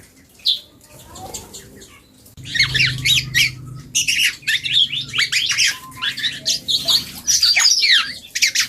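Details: Juvenile black-and-yellow oriole practising its song: near-silence at first, then a continuous run of rapid squawky, scratchy chatter and high chirps with a low background hum.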